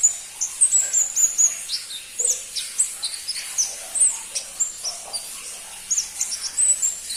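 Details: High-pitched ticking chirps and thin slurred notes from a crimson-breasted flowerpecker (pentis pelangi), delivered in quick irregular bursts with a few louder accents; quiet background noise.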